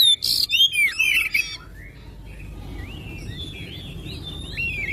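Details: Oriental magpie-robin singing to encourage other magpie-robins to sing. A loud opening burst of harsh buzzes and sweeping whistles fades into soft, distant warbled phrases.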